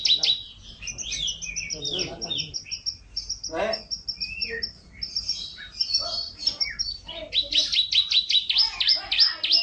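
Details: Canary in champion-style song, a long continuous warble of mixed chirps, buzzy rattles and sharp high notes, ending in a rapid repeated trill; soft low background noise throughout.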